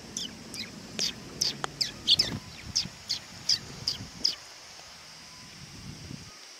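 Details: At a Tenmangu shrine on 18 August 2020, sparrows coming to be fed utter a quick run of bright, high chirps, about a dozen in four seconds, then fall quiet, with a faint steady high hum throughout.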